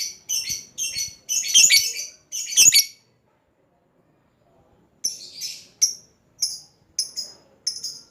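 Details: Lovebird giving a long chattering call to a rival, used as a lure. Harsh, high squawky chirps come in quick clusters for three seconds, then a pause, then sharper separate shrieks spaced about half a second apart.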